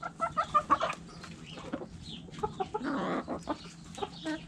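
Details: Backyard coop hens cluck in quick, irregular bursts of short notes, about three a second, with a drawn-out rougher call in the middle.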